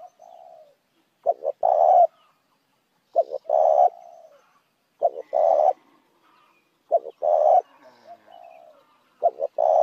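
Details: Spotted dove cooing to draw in other doves. The same phrase repeats five times, about every two seconds: two short hoots and then a drawn-out rolling coo. A quiet lower coo opens the sequence.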